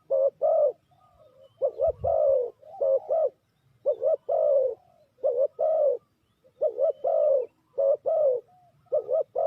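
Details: Spotted dove calling as a trapping lure: quick bursts of deep, warbling coos in pairs and triples, a soft thump near the two-second mark, cooing continuing to the end.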